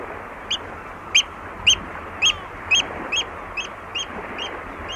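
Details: Close oystercatcher at Walney giving a fast series of about nine shrill, piping notes, evenly spaced about twice per second, with a steady background hiss.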